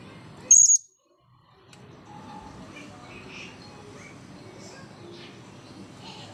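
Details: Single sharp, very high-pitched squeak from a blue-crowned hanging parrot after its bath, followed by faint scattered background sounds and low noise.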